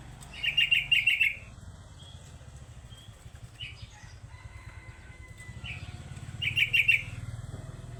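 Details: Lure recording of a sooty-headed bulbul: two brief bursts of quick, chattering, bright notes at the start and near the end, with scattered soft call notes between and a steady low rumble underneath.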